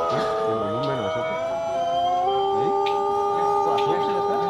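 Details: Contest-winning Pelung rooster in Bandung, West Java, Indonesia, holding a long, drawn-out, steady, ringing crow while people talk over it.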